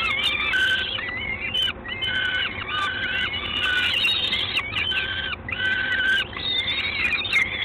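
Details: Peregrine falcon in Gdańsk, Poland, 3 June 2016, 19:47: repeated harsh, wailing notes in a regular series of roughly half-second calls, some with quick upward and downward inflections.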